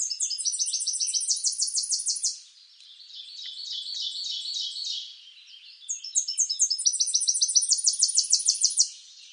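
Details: Tennessee warbler song from eastern North America, given twice: each a bright, very high staccato chatter of quick repeated notes accelerating into a rapid trill, lasting about three seconds, with softer high twittering from other birds between songs.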